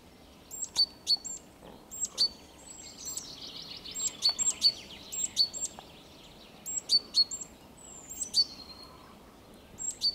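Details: Great tit singing on 3 April 2022: bright, sharp two-note phrases repeated in rhythmic bursts, high and ringing, with brief pauses between series, over a soft chatter of other birds and faint background hiss.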